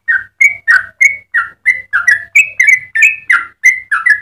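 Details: Yellow-vented bulbul, a loud long-singing bird used to train and lure others: spaced bubbling whistled notes about three per second, some slurred downward, over a faint low hum.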